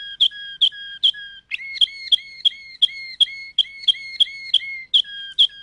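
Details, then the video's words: A Waterslager (Malinois) canary sings long, pure whistled tours over a steady knocking beat of about two to three per second, shifting between lower and higher phrases. "تغريد كناري المالينوا (الوتر سلاجر)"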